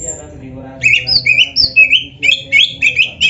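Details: Black-breasted Oriental magpie-robin in vigorous training song full of imitations. One thin high whistle is followed by quick paired whistled notes that dip and rise and repeat several times a second.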